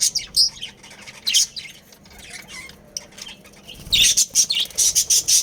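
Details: Budgerigars in a breeding colony: scattered scratchy chirps, then a rapid run of loud, harsh high squawks repeated about every quarter second toward the end.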